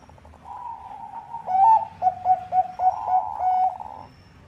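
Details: Zebra dove of the Bangkok type, a lively singer, with song used as a lure: a soft rolling coo leading into several short, evenly spaced cooing notes and a final trilled phrase.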